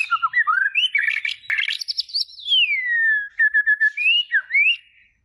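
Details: A white-rumped shama delivers a varied whistled phrase: short wavering notes and rich warbles, then a long pure whistle gliding smoothly downward, a quick stutter of notes, and two final rising whistles.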